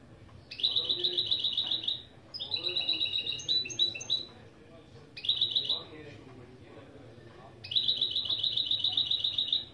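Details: Hybrid goldfinch × canary mule performing opening song phrases, the Turkish-named intro motifs taught in a lesson. Four rapid, buzzy trilled bursts, each about a second long, separated by short pauses.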